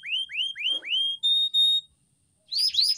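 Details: Canary song used as a training master for pet birds: a run of rising whistled upsweeps, then two steady high notes, a short pause and quick rising chirps.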